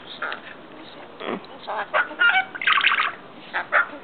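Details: A pet rainbow lorikeet, annoyed at its mirror being touched, gives a run of harsh, raspy word-like bursts, loudest near the end, mimicking human swearing ("f**king hell") in a grating, squawky voice.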